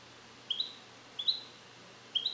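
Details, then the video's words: Captive-bred European goldfinch male born in 2021 in the USA and trained to Neapolitan passages, recorded in a carrier. Three short, quiet, high chirps with slight upward slides, spaced under a second apart. "Cardellino Passata Napoletana 2021 - European Goldfinch - Jilguero cante limpio"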